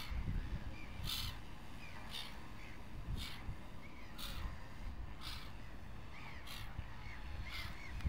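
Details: Gulls calling: short, arched cries repeated about once a second, mixed with sharp broadband bursts over a steady, heavy low rumble.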